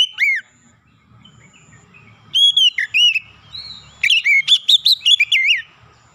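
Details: Oriental magpie-robin song used as a lure to make other birds sing: clear whistled notes with upslurs and downslurs, short bursts then a rapid run of varied chirps near the end, with a faint low hum beneath.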